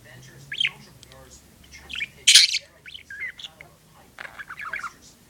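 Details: A blue and white pet budgerigar chatters in quick, warbling chirps with one harsh, scratchy squawk in the middle.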